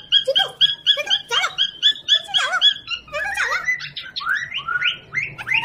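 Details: Household parrot playing with a baby: dense, fast chattering squeaks repeated several times a second, shifting midway into upward-swooping squeals.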